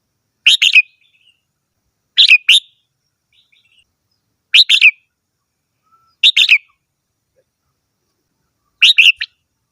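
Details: Red-whiskered bulbul repeating a compact two-to-three-note warbled phrase five times, roughly every two seconds, with faint soft chirps between phrases.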